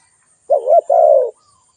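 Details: A single spotted dove call: a brief quavering coo runs straight into a longer, mellow coo that slides gently downward, with silence before and after.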